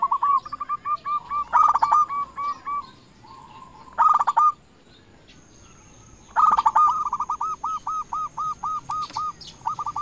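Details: Zebra dove of local type singing as a lure for rival doves, long even series of rounded cooing notes with loud ringing bursts inserted, ending in a steady run of evenly spaced coos.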